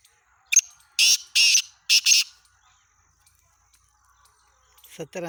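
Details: Black francolin, locally kala teetar, dated 17 February 2023: a sharp note then three loud, harsh, buzzy bursts, followed by silence and a rising wavering call at the end.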